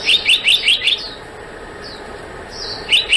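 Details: Black-naped monarch calling: a quick run of five sharp, high, downslurred chirps, a pause with a few faint higher notes, then two more chirps of the same kind at the end.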